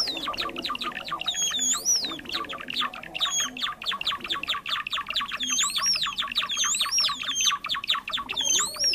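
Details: Java sparrow lure sound for trapping: a long run of quick clicks and chips with repeated high, twisting whistled notes that grow more frequent toward the end.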